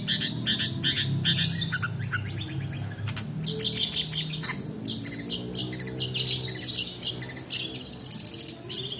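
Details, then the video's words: Long-tailed shrike 'roll' song used as a lure for lazy singers and as tutoring material: dense high chattering notes over a low rumbling background hum, continuing nearly without pause. "PANCINGAN PENTET MALAS BUNYI ROLL DURASI COCOK UNTUK MASTERAN"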